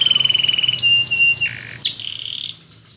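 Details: Canary training song, Spanish Timbrado style: a fast pulsing trill, then long level tones stepping up and down, ending in a buzzy drawn-out note that fades.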